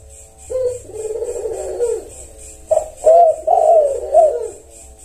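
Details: Spotted doves (tekukur) responding to each other: a muffled, lower long coo, then a clearer sharper coo phrase of several notes overlapping it; constant high pulsing insect-like hiss behind.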